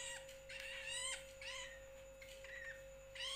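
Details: Juvenile long-tailed shrike giving fainter, rasping, slightly falling calls in short separate bursts, with a steady mechanical hum underneath.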